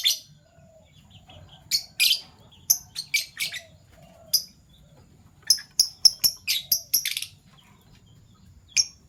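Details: Fischer's lovebirds kept as pets, violet and gold opaline euwing mutations, chirping in the morning: scattered sharp high-pitched chirps and short scratchy bursts, with a quick run of repeated chirps in the middle.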